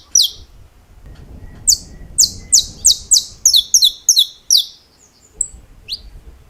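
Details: A canário-da-terra, or saffron finch, known as an estalos champion, opens with one snap, pauses, then delivers a fast run of crisp descending snaps and doubled clicks ending with a short rising whistle.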